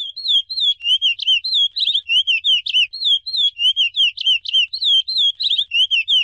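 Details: Chestnut-bellied seed finch giving its Icoaraci song: a continuous run of bright whistles, rising, falling and looping, in even rapid pulses throughout.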